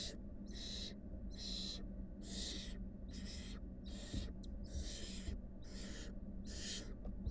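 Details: Rasping hiss-screeches from wild barn owl nestlings, a brood of five with the mother present, repeated in quick regular bursts, nine or so in seven seconds, with a steady low drone beneath.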